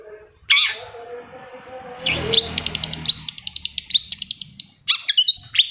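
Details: Long-tailed shrike song used to rouse silent shrikes: a harsh note, then a rustle, then a fast chattering run of high, sharp chips, ending in a quick jumble of varied squeaky notes.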